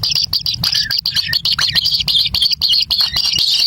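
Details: Kingfisher young at a nest in the wild, scrambling for a black lizard brought by their parent; a continuous rapid chatter of high thin notes, several chicks overlapping, with occasional lower slurred notes.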